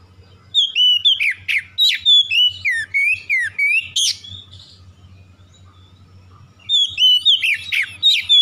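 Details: Oriental magpie-robin singing as a fast lure for birds that have stopped singing: rapid series of loud swooping whistles and sharp chips, a pause of about two seconds, then another burst; faint low hum throughout.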